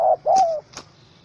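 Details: Angry wild spotted dove held in a small rope trap, 04/07/2017: one short coo then a longer coo that sinks at the end, followed by two sharp clicks.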